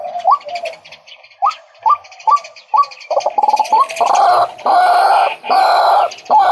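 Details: Male White-breasted waterhen: several rising, clipped notes at uneven spacing, then loud harsh broadband bursts that swamp the calling in the second half.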